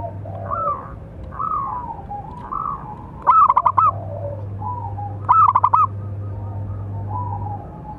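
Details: Local zebra dove with a big voice, its calling song used to train and lure other doves: two loud bursts of rapid, clipped cooing notes, with softer drawn-out coos between them and a steady low hum throughout.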